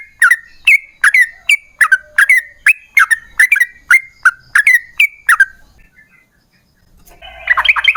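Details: Yellow-vented bulbul song, used as a lure to set other bulbuls singing. A series of about fourteen sharp, bright chirps comes roughly two per second, then a short pause and a bubbly burst at the end.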